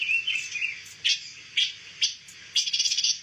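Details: Pancawarna bird, a rare songbird used as shama training material, giving soft warbled notes, then three sharp chirps roughly half a second apart and a closing quick trill.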